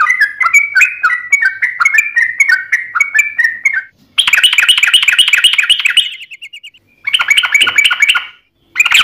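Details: Sooty-headed bulbul in gacor 'ropel panjang' song, meant to prompt other trucukan to answer: rapid bubbly phrases, then abrupt bursts of denser, higher chattering separated by short gaps.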